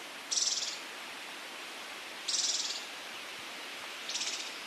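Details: Scaled Antbird, Brazil: three high, rasping buzz notes spaced about two seconds apart, the last one fainter, over low steady hiss.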